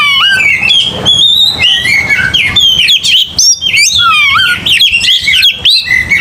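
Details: Aggressive Oriental magpie-robin singing to stir rivals into fighting: continuous torrent of sweet whistles, sharp upward slides and buzzy twitters, with a low rumbling hum beneath.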